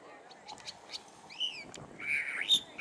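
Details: A California thrasher at Cabrillo Point sings a quick run of varied phrases: sharp clicks, a clear arched whistle, then a harsh, scratchy burst, over a low background rumble.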